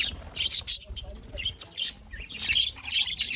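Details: Happy budgerigars recorded on 18 October 2023, giving scattered high, scratchy chirps and short warbled notes in uneven bursts, with quiet gaps between them.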